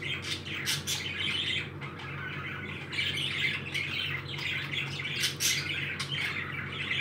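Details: Happy pet parakeets keep up a busy stream of scratchy, buzzy chatter with occasional sharp clicks, almost without pause, over a low background hum.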